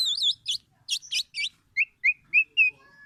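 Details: Black-naped oriole giving a few scratchy, wavering chirps, then four clear rising whistled notes spaced about a quarter second apart.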